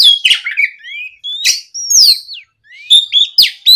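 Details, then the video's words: Singing Oriental magpie-robin responding to a rival: sharp harsh notes followed by smooth gliding whistles, some falling, some rising, in short bursts with a brief silent pause partway. "MEMANCING KACER LAWAN AGAR LEKAS BUNYI NYAUT & GACOR! SUARA BURUNG KACER GACOR NGEPLONG !"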